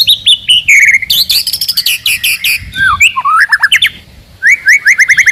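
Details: Captive white-rumped shama, song meant to stir up rivals and toughen young birds: rich descending whistles, fast rattles, upward-sweeping notes and a closing run of repeated rising chips, with a low background hum.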